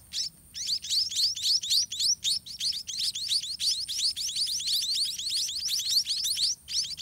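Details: Several white-rumped munia chicks being fed in the nest, giving a busy, overlapping stream of shrill upswept chirps, several each second, with short pauses.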